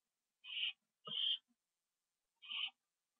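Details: Two owls returning to a nest on a live camera, evening, September 27, 2011. Three short, harsh screeches, the first two close together, then a pause before the third.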